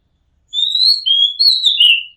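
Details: An Oriental magpie-robin recorded from a house rooftop sings one long phrase of three linked whistles, high, lower, then high again, ending in a coarse downward trill.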